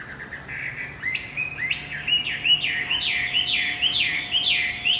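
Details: Javan white-eye lure song for a male that stopped singing: soft opening twitters give way to an accelerating series of bright, rising whistled sweeps, about two to three per second, loud and clear.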